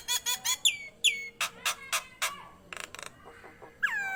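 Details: Nias hill myna in energetic song, mixing quick clicks, falling whistled notes, short hard knocks and a few soft pulsed rattles, ending with a loud descending whistle.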